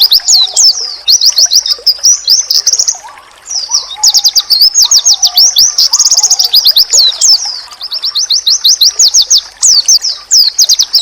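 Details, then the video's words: Oriental white-eye song used as a training recording to make other white-eyes answer: a fast, high twittering of quick sliding and chattering notes, delivered in dense bursts with brief pauses. "Sekali Lawan denger,Pasti Burung Pleci lain Auto nyaut// 💯%Masteran paling RECOMMENDED"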